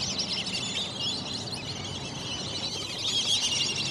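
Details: A flock of black-bellied whistling ducks waking up in the morning at Lake Elberta fills the air with dense, continuous chatter of high, squeaky whistles from many overlapping birds, over a soft background hiss.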